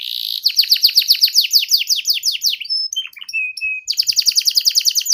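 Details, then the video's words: Ngeriwik-style canary song meant as a lure for young canaries learning to sing: fast rolling trills of slurred notes, a short stretch of thin whistled notes midway, then the quick trill resumes. "Suara PANCINGAN KENARI PAUD BeLajar Bunyi NgeriwiK"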